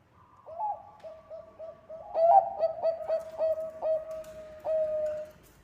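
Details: Zebra dove of the Bangkok type, singing vigorously for use as a lure. Short rising coos lead into a loud run of quick clipped notes, ending in a sustained steady coo.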